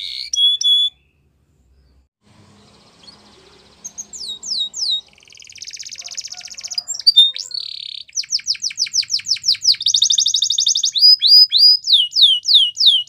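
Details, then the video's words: A Belgian canary sings high, rapid trills and rolling tours, with fast repeated downslurred notes and buzzy rattles, pausing briefly between phrases. "Canary Birds Chirping Sound Efect | Belgian Canary"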